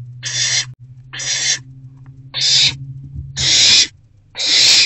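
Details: Owl at a nest box in the evening as rodents are delivered. Five harsh, hissing bursts, each about half a second long, come about once a second over a low steady hum.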